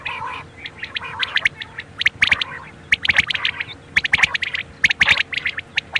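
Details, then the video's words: Quail call recorded for use at night: sharp, high clipped notes in tight bursts repeated roughly every second, some overlapping as if from more than one bird, with a low steady hum underneath. "super new quail call hd | bater ki boli 2021 | بٹیروں کی بولی رات کے لیے"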